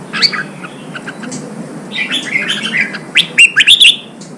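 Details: Red-whiskered bulbul singing to stimulate fighting: a lively run of warbled, whistled notes at mid to high pitch, ending in a loud cluster of five quick ringing notes, over a low constant hiss.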